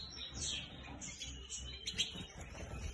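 European goldfinch singing a fast, high, tinkling twitter of slurred notes and chirps, over a steady low rumble of background noise.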